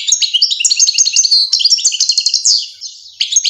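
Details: Goldfinch song accompanying young fledglings feeding, a quick run of bright tinkling and twittering notes with short buzzy trills, easing briefly before a final chirpy phrase.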